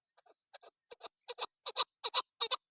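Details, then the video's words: Female chukar partridge giving a building call series, soft clucks at first growing louder into paired harsh chuck notes, quiet background. "Shikari Chakor Awaz Madi Female Chakor Awaz Keklik Sesi"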